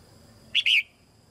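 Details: A single short whistled phrase from a caged female red-whiskered bulbul, sung to prompt young birds to sing, made of two quick bright notes.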